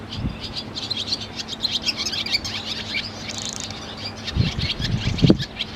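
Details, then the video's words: Barn Swallow in a busy run of high, twittering chirps and clicks. A short buzzy roll sounds past the midpoint, over a steady low hum, and dull knocks and thumps come near the end. "Chant de l’Hirondelle rustique - Barn swallow bird call"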